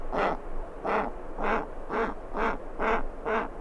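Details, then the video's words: Giant petrel chick begging for food, recorded close up with skuas and terns in the background: six harsh, nasal, braying calls repeated about twice a second, each a short pulsed burst. "Giant Petrel. CU Chick Begging For Food."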